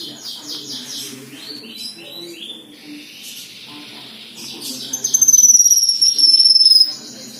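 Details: Black-winged myna singing richly: rapid scratchy chirps and warbles build into a loud, high, sustained whistle that slowly descends while fast pulsing notes continue beneath it.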